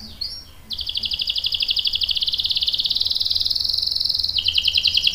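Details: Singing canary in a long rolling trill, a steady rapid buzzy rattle held for several seconds that shifts slightly in pitch near the end, with faint background hum.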